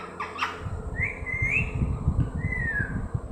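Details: A young green parrot kept as a pet gives two drawn-out whistles, the first rising and wavering, the second gently falling, over a constant low rumble of background noise.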